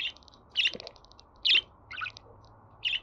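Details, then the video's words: Budgerigar chirps played to pet birds: five bright, rasping chirps at uneven intervals, one doubled with a lower note, with faint rapid ticking and a low hum behind them. "Muhabbet Kuşu Sesi"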